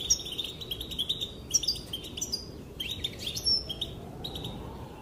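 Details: Female European goldfinch calling to excite dancing males: quick bursts of sharp high chirps and tinkling twitters in several groups, with a short gap near the middle.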